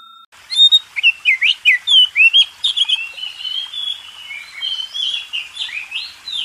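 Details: Oriental magpie-robin, a contest champion, singing master song used to train contest birds: loud clear whistled notes, slurred upward and downward, in a rapid varied series, then softer warbling phrases.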